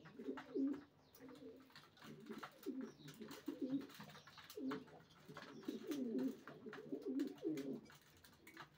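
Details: Several racing pigeons give low, throaty coos in short bursts about every second, with a near-continuous pattern of faint ticks and shuffling noises throughout.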